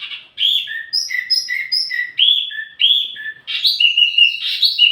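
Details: Wambi mini singing as a lure and tutor recording for flowerpeckers: varied clear whistled phrases that alternate between high and lower notes, ending in a busier, jumbled twitter.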